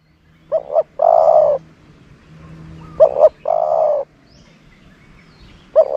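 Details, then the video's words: Decoy dove for luring doves, cooing in phrases of two short clipped notes and a drawn-out low coo, given twice with a third phrase beginning at the close. "นกต่อ เสียงนกต่อ"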